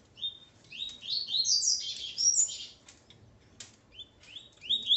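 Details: A Coleiro male, paired with his female, delivers a short whistled note followed by a dense flurry of rising buzzy notes, then scattered softer chips against a noisy backdrop.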